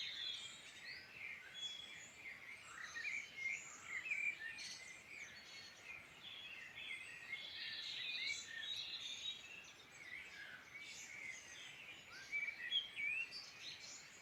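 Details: Birds singing in the Irish Midlands, heard as relaxing sounds before bed: many overlapping high chirps, trills and short whistles from several birds at once, busy and continuous over a soft hiss.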